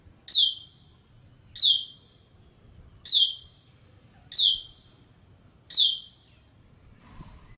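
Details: Asian glossy starling (Philippine glossy starling) at its nest site in Malacca, Malaysia, giving sharp high descending metallic calls, five evenly spaced about every one and a half seconds, with quiet background.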